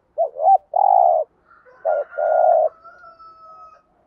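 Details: Lure song of a spotted dove, standard thúc gù style for provoking wild birds: a wavering double note and a long hoarse coo, then a second short-and-long pair, followed by a faint, thin, level whistle.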